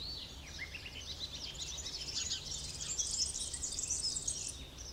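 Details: A pair of short-toed treecreepers feeding nestlings insects at a nest near Alzira, Valencia, on 12 April 2016, give a dense, continuous stream of thin, very high overlapping twittering chirps over a faint low rumble.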